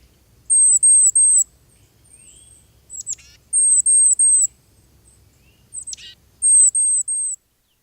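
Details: Tufted Titmouse giving very high, thin "zee" alarm calls in quick bursts of three.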